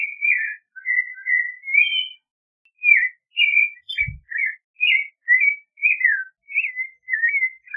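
Clay-colored thrush singing a steady run of rich, slurred whistled phrases, each under a second, repeated almost without pause; a brief low thump midway.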